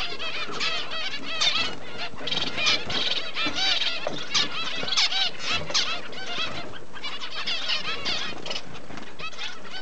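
Double-barred finches chatter steadily, with many overlapping nasal, slurred high calls from several birds at once, including chicks.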